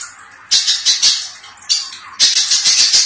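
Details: Little spiderhunter giving a coarse, rapid master song for songbird training; quiet opening, then loud high rasping chatter in two bursts with a pause between.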